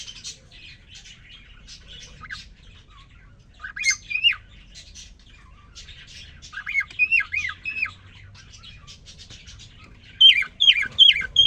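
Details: Caged male cockatiel (quarrion) singing to a newly introduced female after three days kept alone: bursts of bright whistled, downward-sweeping chirps and warbled twitters come in clusters separated by brief quiet pauses.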